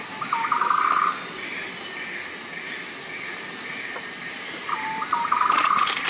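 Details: Green broadbill calling: a short rising note leading into a rapid, even trill, given twice about four seconds apart, against steady background hiss.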